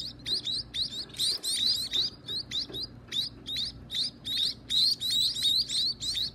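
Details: Baby birds begging at feeding time: loud, shrill rising chirps in quick bursts, several voices overlapping, about three calls a second, with a faint low hum behind.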